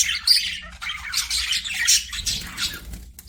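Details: Budgerigars in an aviary chirping and squawking in a dense overlapping flurry that thins toward the end, with a low rumble rising in the last second.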